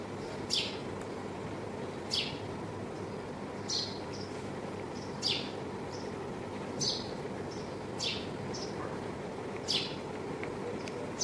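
A house sparrow gives bright, sharp chirps about every second and a half, some doubled, over a steady rumble of background traffic noise.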